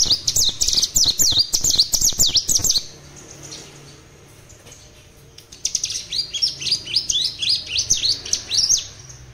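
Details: Spotted mutant common tailorbird in a captive setting giving bursting song for tutoring other birds: rapid high downslurred whistles for under three seconds, a quiet gap, then another long run of the same sharp notes.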